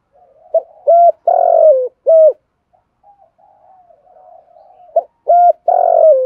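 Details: A spotted dove with a 'giọng thổ' voice, recorded to stimulate cooing, gives deep, hollow coos: a short note, then longer ones ending in a drawn-out falling croo.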